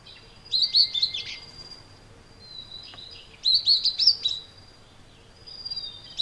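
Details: Vinous-throated parrotbill, a common resident bird of flocks in broadleaf woods and grassland, at Pingtung City, Taiwan, March 2014, giving high, thin twittering chips in quick clusters, one burst roughly every two to three seconds, over a quiet background.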